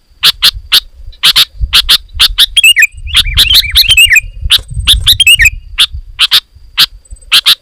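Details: Sooty-headed bulbul in loud, dense song meant to provoke other bulbuls into singing; rapid harsh bursts alternate with warbled, bubbly whistled phrases mid-clip, with faint low rumble beneath.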